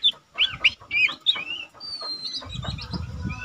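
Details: Young caged Lesser green leafbird singing readily, meant to tutor other cage birds: a few sharp whistled notes and a rising slur early on, then a long thin whistle while low rumbling noise builds near the end.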